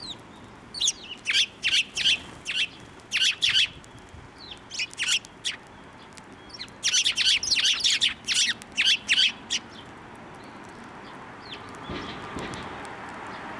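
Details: Sparrows at a Tenmangu shrine flying onto a hand for food, 3 March 2024; sharp repeated chirps in quick clusters, about three a second, pausing midway then resuming, fading into a rustle and soft background hiss.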